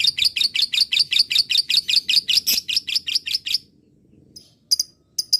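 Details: Lovebird chatter used to provoke other lovebirds into answering: a quick, regular run of sharp high chirps lasting several seconds, then silence broken by two or three isolated clipped notes.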